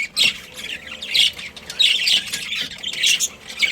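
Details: Pet budgerigar colony giving busy high-pitched chirps and squawks in bursts about once a second, many birds overlapping in a steady chatter.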